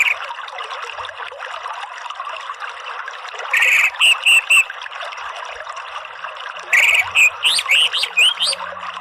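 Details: Orange-headed thrush (anis merah) singing in ngeriwik and ngeplong styles. After soft background twittering comes a burst of three loud whistled notes, then, following a pause, a livelier run of rising and falling whistles and slurs.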